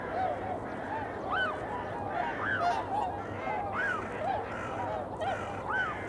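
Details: Eurasian coot calling in February around 8 in the morning: a series of short arched honking notes, several overlapping and irregularly spaced, some higher and sharper, over a constant low hum.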